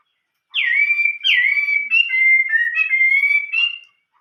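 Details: Chinese hwamei in the old-forest voice style: loud, pure whistles, each dropping sharply from a high start into a long steady note, strung together almost without pause for about three seconds.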